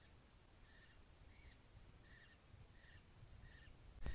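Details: A Eurasian stone-curlew (Burhinus oedicnemus) gives a run of six short, high whistled notes, about one every two-thirds of a second, over steady low rumbling noise.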